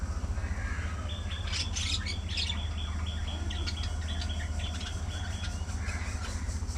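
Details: Budgerigars in a lively social colony give a cluster of bright, sharp chirps and short high notes mid-way, fading to scattered faint calls, over a steady low mechanical hum.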